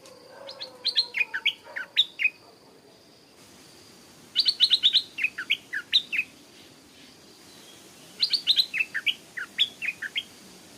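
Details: Stripe-throated Bulbul by a canal on a sunny, windless day, where a wild bird flew across the canal to attack a young caged bird: three bursts of bright, bubbly chirps and short slurred whistles, each about two seconds, with faint hiss between.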